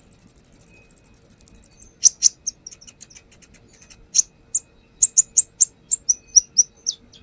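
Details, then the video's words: Brown-throated sunbird lure song opening with a fast high trill of about twenty even pulses, then a string of sharp, scattered chips and short whistled notes repeated irregularly. "Pancingan konin"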